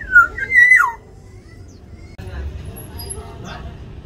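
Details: Black-naped oriole in an aviary fight over territory, opening with loud slurred, nasal whistled calls that waver and drop, followed by quieter background noise and a faint distant call.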